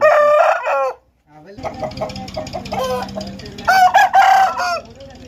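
An Aseel rooster crows loudly, a harsh stepped call breaking off after a second, then more overlapping crows over a low hum of background noise.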